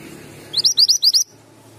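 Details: Singing male Javan Grey-throated White-eye, heard as a quick burst of five high, thin upslurred whistles lasting under a second, with a faint background hum before and after.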